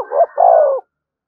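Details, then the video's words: Spotted dove used as a fighting decoy gives a single coo: a short hooting note, a brief pause, then a sustained mellow coo that ends abruptly. "Tiếng chim cu gáy mồi thúc đấu rút bổi liên tục, chim cu đất thúc đấu"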